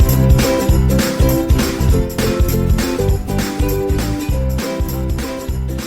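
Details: Loud rhythmic music with a strong repeating beat and guitar fills the recording, with no animal calls audible.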